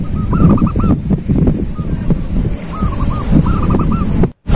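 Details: Zebra dove, a silver-coloured bird, giving soft cooing song phrases near one kilohertz, short trilled coos in bursts with pauses, over heavy low rumbling background noise and clatter.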